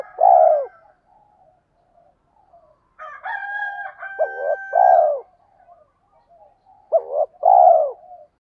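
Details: Spotted dove lure call, "tiếng thúc" style for provoking wild doves: deep two-part coos at the start, middle and end, overlapped midway by a rooster crowing, with faint soft coos between.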